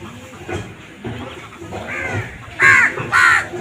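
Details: Crow calling with two harsh, raspy caws close together near the end, after a stretch of low murmuring background noise.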